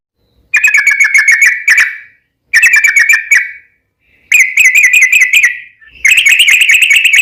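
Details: Sooty-headed bulbul in a long rapid rolling phrase, used to make other bulbuls sing in reply: four buzzy chattering trills of about a second and a half each, fast repeated notes at an even pitch, separated by short silences.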